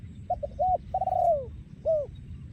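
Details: Male spotted dove used for breeding, 2023, singing a single 'yon khu ang' phrase. Clipped notes give way to a sustained falling coo and a final arched note, set against a faint low rumble.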